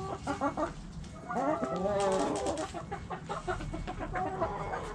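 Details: Backyard hens give a lively run of rhythmic clucks, rising into a longer drawn cackle, then continuing with quick repeated clucks.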